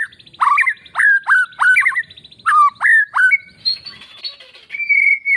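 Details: White-rumped shama in full, loud song, its shrieking meant to stir silent shamas into answering: about eight sharp, downward-slurred whistles roughly every half second, then higher thin whistled notes and a long, level, clear whistle to close.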